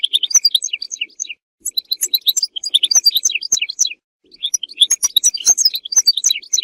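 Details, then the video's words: European goldfinch singing for mating and for teaching goldfinches song; bright, high twittering phrases of quick chirps and slurred notes, in three bursts separated by short silences. "مجموعة اصوات لطائر الحسون ل التزاوج و تعليم الحسون التغريد"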